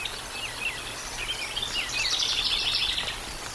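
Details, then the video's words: Decorah North bald eagles on a live nature camera, 13 July 2022, evening; a few high swooping notes lead into a dense, rapid, high chattering series against noisy background hiss. "Decorah North Bald Eagles"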